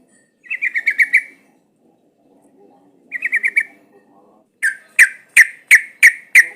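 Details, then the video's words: Sooty-headed bulbul sound played as a lure so bulbuls answer and sing. Two quick chattering trills of about six notes each, then six louder, sharper single notes spaced evenly. "Suara pancingan trucukan agar bunyi jadikan burung trucukan gacor seketika"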